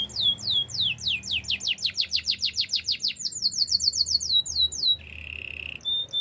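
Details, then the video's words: Canary song for training, with rapid downward-sweeping whistled notes of roughly four per second, a quicker high chirping run, then a brief low rolling trill and a few thin whistles. "Beautiful voice of canary birds"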